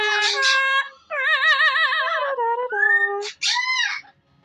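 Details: Pet Amazon parrot indoors, singing sweetly to its owner at the end of the day once the other household bird is caged. Clear tonal warbled notes with fast vibrato and gliding phrases, ending in short squeaky upward-sweeping notes.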